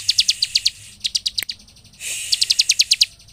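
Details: Bar-winged prinia (ciblek) song meant to provoke other prinias into singing: short volleys of crisp, high-pitched chips, broken by a sharp click and a brief hissy noise mid-way.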